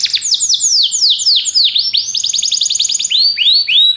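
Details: Continuous Belgian canary song intended to stimulate other canaries: dense, rapid falling whistled sweeps running into a steady trill and then arching, bell-like whistles.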